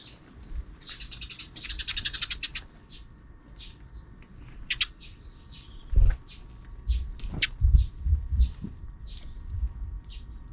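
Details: Sparrows calling outside a fixed camera's view in the afternoon: a quick burst of rapid chattering notes, then scattered sharp high chirps and clicks over low background rumble and a faint steady hum.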